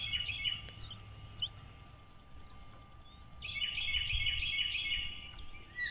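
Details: American bald eagles at their nest on Dale Hollow Lake, a reservoir on the Kentucky-Tennessee state line, picked up by a nest camera at 06:39 on 13 March 2023; bursts of rapid, high, piping chattering notes, with a quiet gap between, over a low background rumble.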